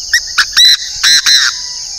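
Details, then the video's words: Northern Vietnamese decoy Chinese francolin calling loudly: two brief harsh notes followed by three drawn-out, rasping, ringing notes within about a second and a half, with a continuous high-pitched insect hum behind. "Đa Đa mồi miền bắc"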